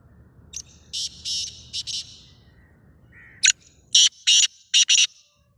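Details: Black francolin, known locally as kala teetar, giving a loud harsh grating call: two short scratchy phrases of clipped rasping notes, the second ending in quick bursts, with a brief lower note between them over a quiet background.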